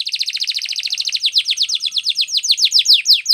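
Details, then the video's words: Training song from a canary: a rapid, steady series of downward-slurred whistled notes, about six per second, gradually slowing and growing louder and sharper toward the end. "Canary's Most powerfull Song For Training"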